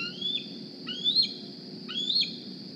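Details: Young Decorah bald eagle on the nest one morning, 2020, squeeing for food: three high, drawn-out rising whistles about a second apart, each finishing with an abrupt fall, above a soft constant hum.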